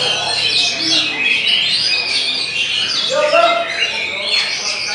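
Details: Kacer, the Oriental magpie-robin, delivering quick high chirps and sweeping whistled notes in an unbroken varied phrase, with people talking in the background.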